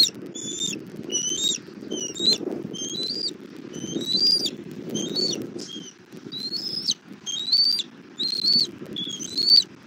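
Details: Bald eagle at a nest in Southwest Florida, mother bringing food to her chick for dinner, 17:30 on 1 April 2024: thin high whistled notes with a rising upper edge, repeated about once a second for ten calls, over a low rumbling background.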